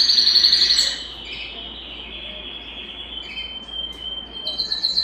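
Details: Belgian canary song played to stimulate singing and bring females into breeding condition: a short high rapid trill, then a long thin steady whistle, more trills at the end.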